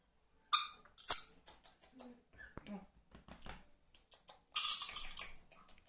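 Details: A female pet dusky lory, playing and sulking, gives three harsh, high, raspy screeches: two quick ones, then a longer grating burst after a pause, with faint soft noises and quiet room sounds in the gap.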